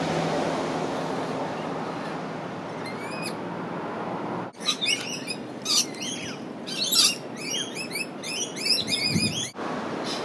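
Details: In Australia, a rainbow lorikeet feeds on umbrella tree nectar amid busy chatter: grating screeches and a dense overlapping jumble of shrill chirps and squeaks in the middle stretch, over a constant rushing hiss.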